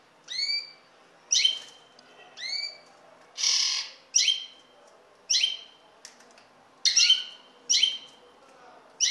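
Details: Common linnet giving sharp, twittering call notes that drop in pitch, spaced roughly a second apart, with one brief rushing noise burst midway; otherwise quiet.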